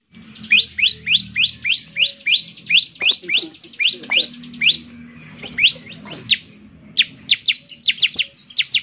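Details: Bar-winged prinia in lively singing form, used to spur other birds of its kind to sing: sharp rising-falling chirps repeated about three per second in long runs, with a low background hum.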